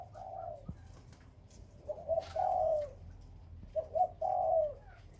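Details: Spotted dove among Khmer and Malay dove breeding birds, giving mellow mid-pitched coos: a falling coo, then two phrases of short stuttered notes leading into a long, drawn-out, downward-curving coo, with faint clicks in the background.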